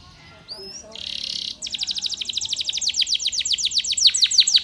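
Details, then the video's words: Spanish Timbrado canary training song opening with thin upslurred whistles and a buzzy roll, then building into a fast run of descending whistled sweeps growing louder. "Canaries Woo Friends to Sing! Very Effective"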